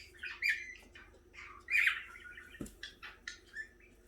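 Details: A 6-month-old cockatiel whistles and chatters through the learned tune "If You're Happy and You Know It" in bright, warbling phrases.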